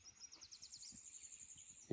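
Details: A Golden-winged Warbler in willow thickets along the K&P Trail, around 7:20–7:30 on a sunny, windless May 18, 2024 morning, gives its chattery song: quick high stuttered notes settling into a sustained high buzz, over faint rumble.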